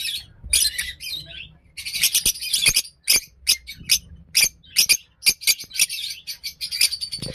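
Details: Blue masked lovebirds giving rapid shrill, scratchy chirps in bursts, some clustered and some single sharp notes, continuing throughout.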